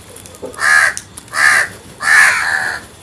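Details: Crow uttering three rasping caws in quick succession, the last one longest and slightly drawn out, with a brief faint note before the first.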